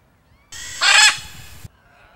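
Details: Blue-and-yellow macaw (Ara ararauna) from a pair at their nest among trees: a brief harsh, raucous squawk peaking sharply for a moment amid a rough, noisy background hiss.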